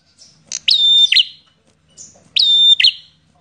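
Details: Aggressive, combative visiting prinia in full song: two phrases, each opened by a faint high note, then sharp chips and a sustained level whistle breaking into buzzy notes, repeated after a short pause.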